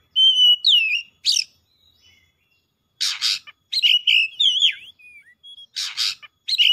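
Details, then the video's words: Oriental magpie-robin in agitated, heated song, unloading its learned repertoire. A steady whistle bends downward, followed by buzzy rasps, twisting whistled phrases, a thin wavering tone, and more harsh bursts, with short pauses between. "KACER GACOR LANGSUNG MEMANAS NAIK EMOSI BONGKAR ISIAN"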